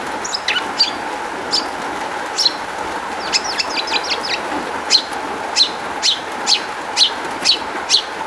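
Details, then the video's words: Singing long-tailed shrike, its song meant as a lure for other shrikes: mixed chirps and a quick run of downslurred notes, then sharp high notes repeated roughly twice a second, steady hum underneath. "kicau cendet gacor MEWAH ISIAN buat PANCINGAN CENDET AGAR BUNYI jadikan BURUNG PENTET NYAUT"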